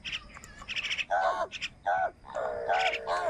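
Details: Crows squabbling with wild birds over food on a rainy morning; hoarse, nasal caws repeated in quick succession, the last one long and grating, over a background of higher chattering bird calls.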